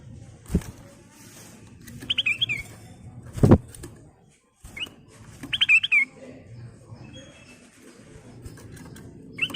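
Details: Ruby-throated bulbul in full song with fills, used as a lure: scattered short whistled warbles among knocks and thumps, with a low rumbling background.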